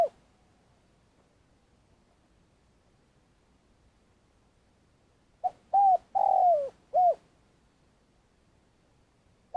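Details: Spotted dove kept as a trapping lure, long calling: after several seconds of silence, a short note followed by three soft coos, the middle one longest and falling, then a new phrase beginning.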